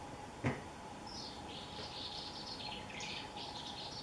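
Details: A swallow sings cheerfully at dawn on a cloudy morning in the countryside: a soft, high twittering warble running unbroken for about three seconds after a sharp click, over a steady hum and background noise.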